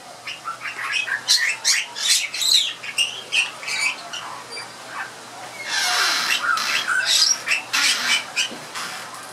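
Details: Captive Bali myna in a small entry aviary at Lowry Park Zoo, singing in harsh, scratchy squawks and chattering bursts in an irregular run. A broad wash of noisy visitors, including children, joins midway.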